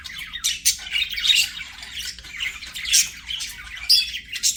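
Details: Budgerigars singing during play: fast run of grating chirps and squawks mixed with thin whistled notes, loud peaks coming every second or so.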